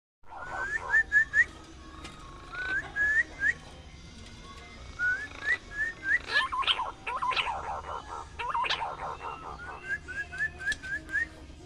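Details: Pink-necked green pigeon calling: bursts of short, rising whistled notes in quick runs of four or five, repeated several times, with a louder stretch of harsher, broader notes mixed in midway.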